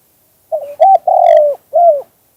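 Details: Natural spotted dove song of the two-kuk-hoi type: a short wavering coo leading straight into a second, then a long steady coo easing downward and a separate falling final note, with no other sounds.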